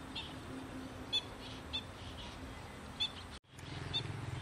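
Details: Black-winged stilt in a wetland giving a few short, sharp, high calls, spaced irregularly over a steady background hiss with a faint low hum.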